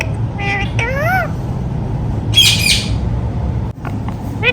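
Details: Talking rose-ringed parakeet: two quick wavering, speech-like syllables early on, then a harsh broad squawk, with soft clicks near the end and constant low background hum.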